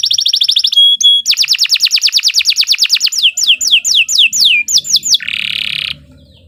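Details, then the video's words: Shrill canary song, continuous and long, used as a model for teaching other songbirds: steady rapid trill after a pure whistle, slowing into looping downslurred notes and ending on a harsh buzzy burst. "Kicau Burung Kenari II GACOR PANJANG Cocok untuk Masteran"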